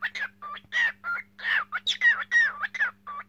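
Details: A cockatiel sings a rapid sequence of whistled notes that slide up and down, with some rough, noisy syllables mixed in, about three notes a second, with a faint steady hum behind.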